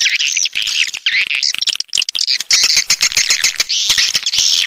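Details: Coastal swiftlets from the south, called walet pantai: bursts of high squeaky twittering broken by dry clicks and a brief pause before loud chatter returns.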